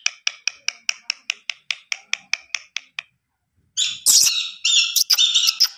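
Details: Pet Indian ringneck parrot sounding a steady series of about thirteen short sharp chirps, roughly four per second, then after a pause loud harsh screeching squawks.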